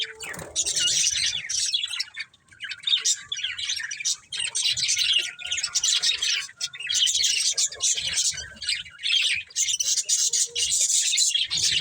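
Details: Long stretch of budgerigar chatter from a breeding pair, continuous buzzy warbling and squawky chirps, with soft low bumps underneath.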